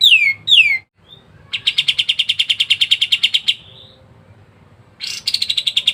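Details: Kapas tembak in full, dense song used as training material for songbirds: two quick falling whistles, then a fast rattling run of short repeated notes lasting two seconds, a pause, and a new run starting with a downslurred note.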